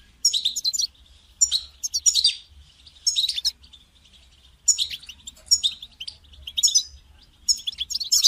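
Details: Caged European goldfinch heard in recorded calls used to encourage a silent caged goldfinch to sing; bright twittering phrases in bursts of about a second, separated by short gaps.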